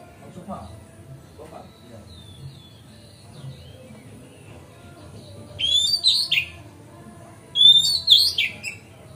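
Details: Magpie-robin song used to provoke other magpie-robins, with faint soft whistles at first, then two loud bursts of sharp, jumbled whistled notes near the end.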